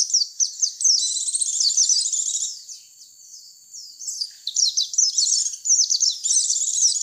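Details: White-eye call meant to attract others of its kind: busy, high twittering trills opening and closing the passage, with a quieter stretch of thin, spaced chirps and a held note in the middle.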